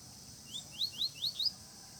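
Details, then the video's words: Double-collared seedeater singing in the bush during a field outing: five quick, bright, upslurred whistled notes in a fast, slightly accelerating run, over a steady high insect hiss. "Campeada puxada com coleiro no mato mais um dia"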